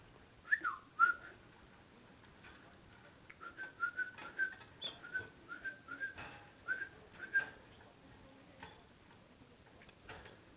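A pet parakeet gives a lively run of short, bright chirps, about ten in seven seconds, with faint room noise between them.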